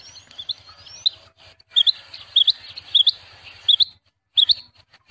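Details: Rain quail giving sharp, high double whistles, 'whit-whit', repeated about every two-thirds of a second, over a soft low pulsing hum.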